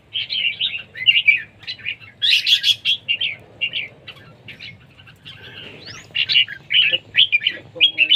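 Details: Red-whiskered bulbul in singing competition, delivering rapid runs of chirpy, liquid notes in short phrases, one louder burst near the middle, over a faint low hum.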